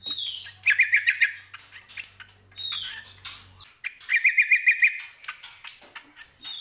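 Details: Vigorous greater green leafbird song: a descending whistled slur followed by a fast trill of about six clipped notes, the pattern repeated twice, with scattered chips between.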